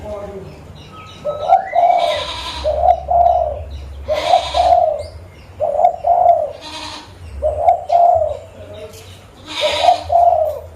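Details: Local zebra dove from Pidie, Aceh, used as a lure for attracting birds; repeated soft rolling coo phrases every second or so, interleaved with bursts of broadband noise and a low steady hum, faint chirping behind.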